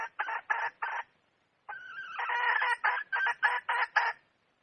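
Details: Wild red junglefowl hen calling: a few short clucks, a pause, then a drawn-out nasal note breaking into a run of loud, harsh, evenly spaced clucks, about four per second.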